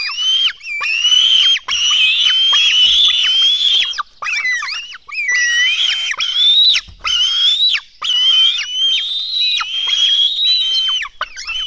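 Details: Eagle nestlings in a Latvian nest at feeding time, 04:53 on 24 June 2016, give loud, shrill, drawn-out screaming calls in runs of a few seconds each, wavering and briefly rising, with short pauses between.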